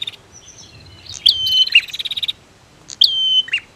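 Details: Male and female prinias answering each other, used to provoke birds that have stopped singing. Piercing whistled phrases ending in a downward flick, followed by a quick series of ticking pulses, then one more short whistled phrase.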